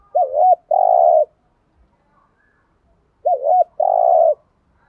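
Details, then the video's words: Decoy spotted dove giving the cooing style called thúc gù, used to lure and excite wild doves: two phrases, each a quick doubled wavering note then a longer steady coo, about three seconds apart, in a quiet setting. "chim cu gáy thúc gù/ chim cu gáy mồi có giọng bài bản/ cu đất thúc gù"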